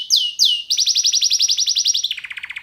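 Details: Canary, a pet male bird, singing: two drawn-out descending whistles, then a fast rolled trill of repeated rising notes, ending in a lower, slower trill.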